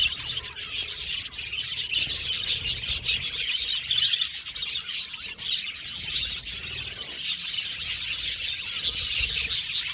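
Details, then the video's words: Budgerigars in an aviary colony, described as happy, chirping and warbling together in a dense, continuous chatter of high twittering notes with quick clicks and squeaks, no pauses, steady over the whole stretch. "Happy Budgies Chirping Sound"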